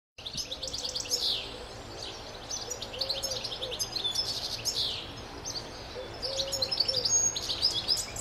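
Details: A wild European goldfinch in New South Wales sings a fast, continuous tinkling twitter of high, liquid trills and buzzy notes, with a few faint low warbling sounds in the background.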